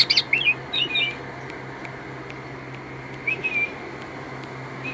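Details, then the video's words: Asian pied starling song: short bursts of squeaky, whistled chirps near the start, a brief pause, then a few more whistled notes later, with scattered clicks and a constant low hum underneath. "Kicau jalak suren"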